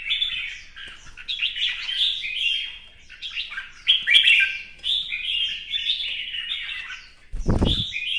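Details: Red-whiskered bulbul in new plumage sings a competition song with dancing, fanned display: a run of chattering, whistled warbles, then a low thump near the end followed by a final bright phrase.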